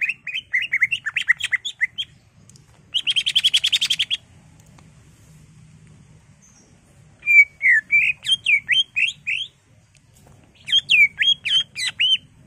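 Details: Greater green leafbird in a cage, loud agitated song meant to provoke rivals: rapid whistled phrases, then a dense buzzy rattling trill, a pause, and two bursts of sharp, rising and falling whistled notes repeated several times a second.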